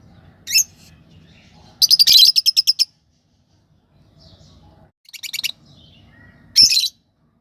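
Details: Lovebird chirping in bursts: a single sharp note, then a rapid rattling run of about eight chirps, a shorter run of clicks, and a final loud squawky chirp.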